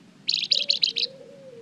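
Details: Short lure phrase from a golden-bellied gerygone, meant to make other birds answer: five quick, high, slightly buzzy notes in an even row, over a low soft hum.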